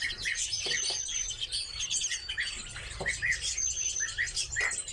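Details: Redpolls kept as cage birds uttering dense high twitters with scattered short, rounded chip notes lower down, calls overlapping from several birds over low background rumble.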